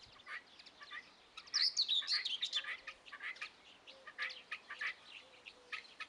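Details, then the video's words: Young helmeted guineafowl giving a dense run of high, thin, twittering peeps, several overlapping, in irregular quick bursts. "Młode Perlice"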